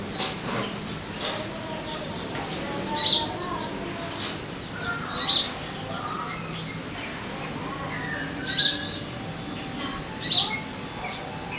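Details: Sogon notes played to coax caged birds into song: scattered high, sharp chirps and short sliding whistles spaced a second or two apart, with a few louder accented notes.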